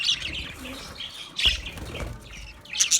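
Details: Budgies chirping: soft warbling chatter with a sharp chirp midway and a louder squawky burst at the end, some fluttering noise.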